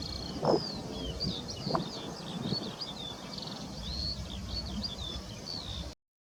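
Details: European stonechat (Saxicola rubicola) family with three recently fledged young at ponds, 19 May. Thin, high whistled notes and short chirps repeat almost without pause over a low rumble of wind and distant traffic.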